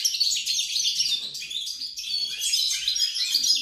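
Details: European goldfinch in full song, 28 November 2020: rapid high chattering and tinkling notes packed tightly together, with short swooping slurs and buzzy touches, carrying on without pause.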